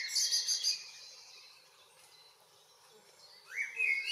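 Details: Northwest Zealand, Denmark, June evening: a burst of high, thin twittering opens, a long near-silent pause follows, then a common blackbird's fluted rising phrase ends the clip.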